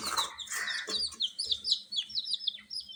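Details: Captive coloured chicken chicks kept warm: a jumble of low broadband noise at the start gives way to a run of high, thin, descending peeps from several chicks.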